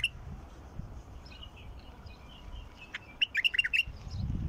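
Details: A wild bulbul, used to prompt silent bulbuls to sing, giving short, bright whistled and chirping notes, loosest early and quickening into a burst of clear phrases near the end, over low background rumble.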